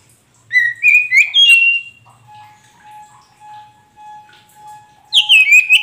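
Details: Oriental magpie-robin of the poci type, caged, sings to coax a silent bird into answering. Rising whistled notes open, then a long steady electronic-like tone hums behind quiet gaps before another burst of bright whistles.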